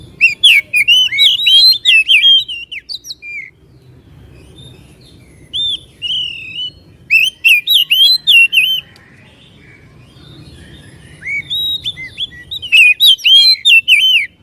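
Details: White-rumped shama song meant to provoke a caged bird into song and tail-spreading: three loud bursts of rapid warbled whistles and chips, separated by quieter gaps of a few seconds with a low hum.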